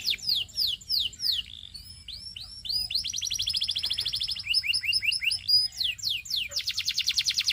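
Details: Varied canary song: spaced descending whistles, then a buzzy rolling trill, a series of short chirped notes and a fast rattling trill at the end.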